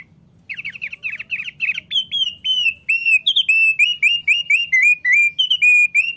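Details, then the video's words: A male thick-billed white-eye sings a fast, continuous run of high, sweet chirping notes, bright and slightly slurred, with a faint low hum underneath. "OPIOR PARUH TEBAL JANTAN YANG RAJIN BUNYI"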